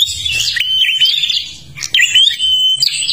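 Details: Kalimantan prinia in full song, used to lure other birds: scratchy high chatter, then long level whistled notes, with a brief pause and buzzy burst midway.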